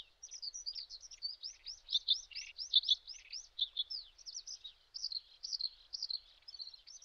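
Spoon-billed Sandpiper giving a quick, steady run of high, thin arched chirps, about four or five each second, with a clean quiet background.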